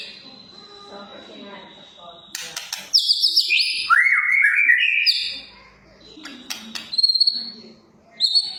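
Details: Medan White-rumped shama as a lure recording: a steady high tone and sharp clicks, then a burst of bright high notes and slurred whistles in the middle, followed by more clicks and short high phrases.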